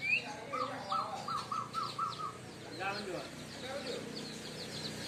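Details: White-rumped shama of the Aceh type in a first 'nyorong' song bout: a quick run of about five even mid-pitched notes, then sliding whistles and scattered high chips over a low background hum, all fairly faint.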